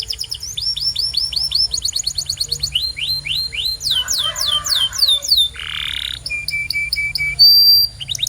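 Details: Canary singing to coach other canaries into song: phrases of repeated fast slurred notes, a harsh buzzy burst, a flat rapid whistled trill and a piercing pure whistle, changing tour every second or two.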